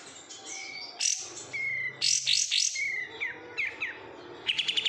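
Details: Oriental white-eye in captivity, raised from a bulk-caught lot, sings quick descending whistled slurs, clustered sharp chirps and a brief rapid trill at the end.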